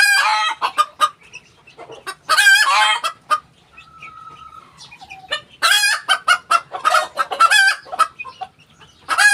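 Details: Ko Shamo hen making noise: loud, harsh squawking bursts alternating with short clucks, three main outbursts separated by quieter gaps, close and clear.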